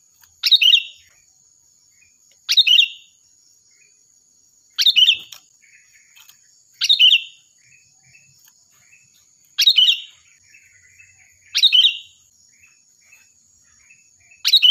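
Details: Active, loud sooty-headed bulbul song meant for training other birds: seven brief bright bubbly phrases repeated roughly every two seconds, faint soft chirps between them, and a steady thin high-pitched hum throughout.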